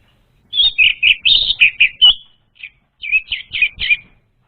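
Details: Orange-headed thrush song used to lure untrained birds: a fast run of about eight sweet, varied whistled notes, a short gap, then another string of five quick slurred whistles.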